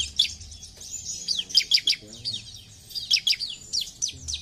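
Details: Bar-winged prinia giving scattered high, sharp downslurred chips and short trills, irregularly spaced, with a faint low murmur in the background.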